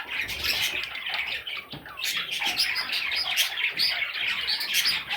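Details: Budgerigar chicks calling: dense overlapping high chirps and squawks without pause, with faint low rumbling beneath.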